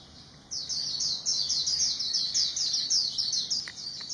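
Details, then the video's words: White-eye singing: after a half-second pause, a rapid, unbroken stream of very high, thin twittering notes runs to the end, fluttering and tumbling, with a couple of faint clicks near the close. "Zosteropidae bird singing, good voice"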